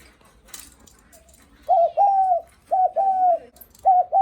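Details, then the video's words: Spotted dove giving its visitor-greeting coo: after a quiet start, three steady mid-pitched phrases, each a short note followed by a longer level coo with a slight droop at the end, repeated about once a second. "Tiếng Chim Cu gáy khách có khách đến nhà là gù cực chất cu gáy chào khách"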